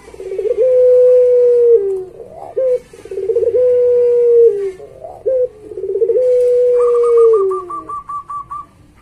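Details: Domestic Barbary dove of the puter pelung type, kept as a master recording for training pet doves. Three long drawn, steady low coos, each opened by stuttering notes, then a fast run of short higher repeated notes at the end.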